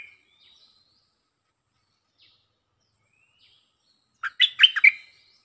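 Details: Stripe-throated bulbul song used as a lure: after near silence with a few faint thin whistles, a loud bubbly burst of quick, throaty, warbled notes lasting about one second near the end.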